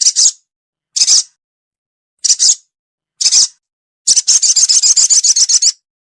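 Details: Lure call of a sogon, played to attract wary birds: four short, harsh, high-pitched bursts spaced about a second apart, then a fast rattling series of rapid repeated notes.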